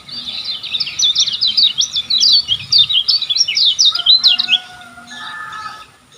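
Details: Lombok lemon-bellied white-eye in full song for training caged birds; a fast, jumbled flurry of high twitters for four seconds, fading into a few softer, lower calls.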